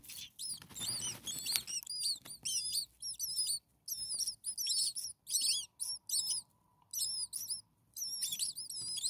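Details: Six hungry common starling nestlings, a few days old, in a nest: dense bursts of shrill, high, doubled chirps with rising and falling slurs, overlapping in excited clusters and pausing briefly, with some rustling early on.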